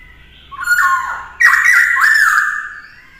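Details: Captive black-throated laughingthrush, its song used to train a young bird. Two loud bursts of rich, slurred whistles rise and dip, the second longer and sustained before trailing off.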